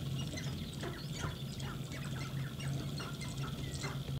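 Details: Sharp-tailed grouse dancing and fighting in their mating display give a rapid jumble of short, harsh clucks and cackles with a few thin whines, over a steady low hum.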